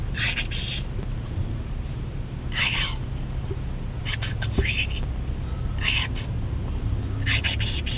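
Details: Pet green-winged macaw riding in a car on a morning school run, whispering softly: short breathy bursts every second or two over steady low engine hum.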